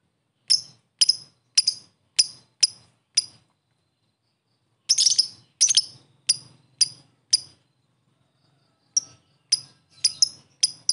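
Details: Ngetik of a fighter lovebird, a lure meant to provoke a quick response: bursts of sharp, high ticks, six in a row, a pause, then a faster uneven series and a final scattered run.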